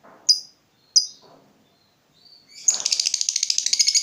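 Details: Lovebird ngekek, played to lure and train other lovebirds: two sharp high chirps, then a fast, buzzy, continuous chattering trill building up, with faint low rustling beneath.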